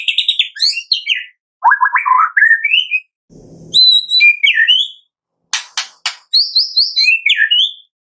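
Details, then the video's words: White-rumped shama singing in the morning, used to stimulate captive birds: varied whistled phrases with jumping slurred notes, a brief low rumble midway, then sharp clicks and more bright whistles. "Pancingan Murai Pagi WHITE-RUMPET SHAMA 100% AMPUH buat Pancingan murai batu pastol agar bunyi"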